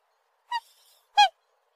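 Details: Black swan calls twice: a softer short bugling note followed after a pause by a louder, fuller honk with a slightly falling pitch.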